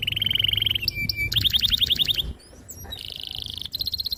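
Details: Canary singing energetically in a long rolling gacor style with a clear, sharp voice, used to coax young canaries into learning song: a buzzy high trill, a low whistle, then a fast run of bright repeated notes and steady high trills.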